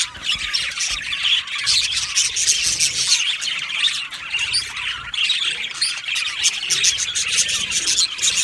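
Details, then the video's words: Australian budgerigar colony in an aviary, many birds chirping at once: dense, continuous high twittering and scratchy warbles with sharp squawks breaking through, no pauses. "Australian Budgie chirping sounds"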